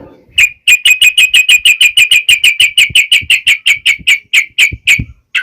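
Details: Yellow-vented bulbul in vigorous wild-style song, used to make birds answer: a steady run of about twenty identical sharp notes, roughly four per second, with faint low knocks beneath.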